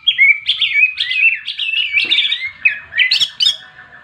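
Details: Greater green leafbird fighting song in the full 'ngentrok jenggrik' style, meant to provoke rival leafbirds: a rapid run of bright, chattering and warbled notes, with sharp upward flicks and squeaky trills tumbling over one another.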